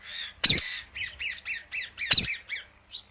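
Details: Indian ringneck parakeet chirping: two piercing broadband squawks about a second and a half apart, separated by a run of short, bent, chattering notes.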